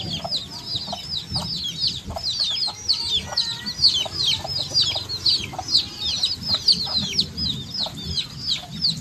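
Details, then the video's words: Many chicks cheeping together, a steady stream of shrill falling peeps tumbling over one another for the whole stretch, over faint low background hum and occasional soft clicks. "HUNI NG SISIW, ACTUAL FOOTAGE CHICKS SOUND"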